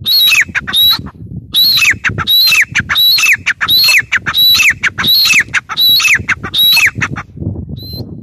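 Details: Grey francolin, known locally as teetar, giving a rapid run of grating, piercing notes with a slurred downward tail, repeated steadily about every 0.7 seconds, then stopping near the end with only soft background noise.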